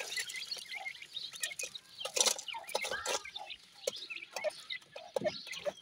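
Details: Grey francolin chicks calling: a crowd of short, thin, high peeping chirps repeated irregularly and overlapping, with clicks and rustling handling noise between them.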